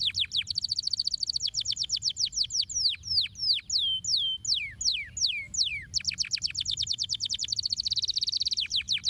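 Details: Canary song played to stimulate canaries to sing: fast high rolling trills, then slower descending whistled sweeps, then a rapid trill again, very clean and high-pitched over a faint low hum.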